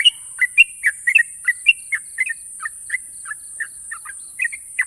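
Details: Sooty-headed bulbul, a national champion, singing sharp trills of short warbled notes, about two per second, some doubled and slurred downward, over a constant high hiss.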